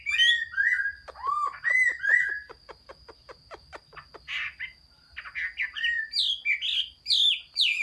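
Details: Chinese hwamei song, 15 June 2021: clear, falling whistled notes, then a rattle of quick clicks, followed by varied, bright, swooping phrases that grow louder toward the end.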